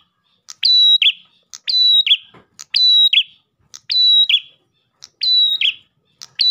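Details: Lively Ash tailorbird song for attracting other tailorbirds. A crisp click, a sustained high whistle and a buzzing drop repeat steadily, about every second, against near silence.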